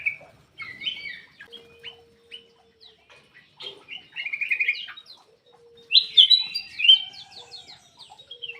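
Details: Black-crested bulbul in lively song, played to stir reluctant birds into singing; busy, jumbled chirps and slurred whistles with bursts of rapid notes, plus a low steady whistle-like tone in the background.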